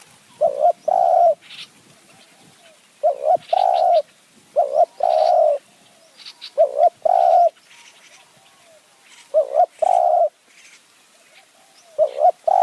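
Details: Spotted dove decoy calling steadily in high mountain forest, Kanchanaburi, Thailand, to draw in wild doves; six low coo phrases, roughly every two to three seconds, each a short wavering note then a longer held note, with faint chirps behind.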